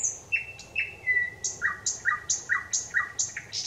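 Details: Thrush nightingale singing on 25 May 2021: loud, regular series of sharp notes, each a high whistle dropping to a lower clipped note, repeated roughly every half second, over faint low background rumble.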